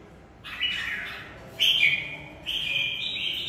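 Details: Fighting red-whiskered bulbul giving three separate whistled phrases, the later ones sharper and steadier in pitch, against a hissing, noisy background.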